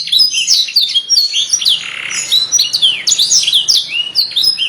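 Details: Canary song in master style, said to call friends and fight: jumbled high chirps, twitters and down-slurred whistles without a steady rhythm, with a brief softer buzzy patch midway.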